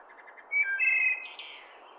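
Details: Wood thrush singing in its natural environment: a few soft low introductory notes, then clear flutelike whistled tones held steady, ending in a higher, buzzy, ringing trill that fades; quiet forest background with no other clear voices.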